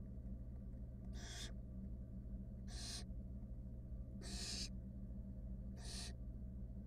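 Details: Wild barn owl nestlings in a monitored nest box with their mother give four harsh, breathy hisses about a second and a half apart over a steady low hum.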